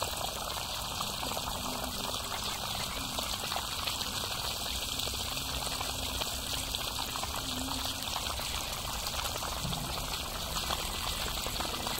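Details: Steady pouring or rushing water fills the whole stretch, with no animal calls standing out.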